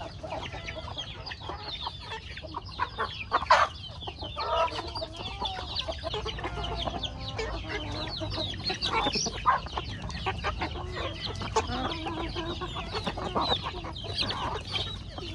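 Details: A flock of chickens eats corn feed on a farmyard, a steady busy chatter of overlapping clucks, short squawks and sharp pecking clicks, with a louder burst partway through.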